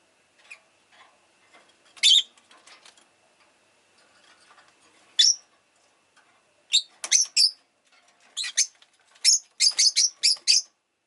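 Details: Rosy-faced lovebird chirping, a pet bird: sharp, shrill high chirps in scattered bursts, clustering into a rapid series of short screechy notes toward the end, with faint background clicks and rustling.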